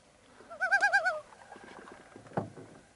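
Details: Shy Common Loon on a remote lake in Canada, far into the forest during a fishing trip; a single rapid, wavering tremolo of about five pulses, followed by faint background noise and a soft knock.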